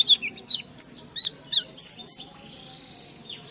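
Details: Oriental white-eye with ngalas-style riwikan filler, aimed at stimulating other white-eyes: a loose string of separate high chirps and short whistles, then a drawn-out faint whistle.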